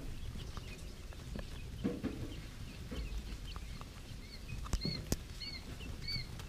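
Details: Three-day-old quail chicks peeping: short, high, arched chirps repeat about every half second through the final two seconds, preceded by soft scratching and tapping sounds in the background.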